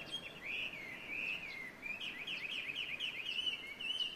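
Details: Chinese hwamei in Ito, Japan, singing in February 2023 in what is the first song heard that year; a continuous run of varied, warbled whistled phrases rises and falls against constant outdoor noise.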